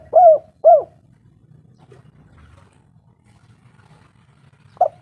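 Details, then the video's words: Local spotted dove used as a lure to make rival doves call: two short arched hooting coos in quick succession, about four seconds of near silence, then one brief clipped coo. "tekukur lokal gacor bikin lawan emosi suara merdu"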